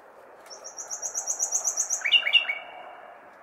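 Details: Nightingale on a May night in a large city, singing a quick series of about a dozen high, evenly spaced piping notes, followed by a few loud downslurred whistles, over a faint urban rumble.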